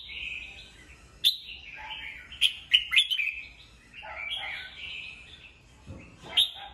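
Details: Morning singing from a caged red-whiskered bulbul: continuous lilting whistles punctuated by several sharp, loud notes in quick succession, then lower warbled phrases and a closing bright note.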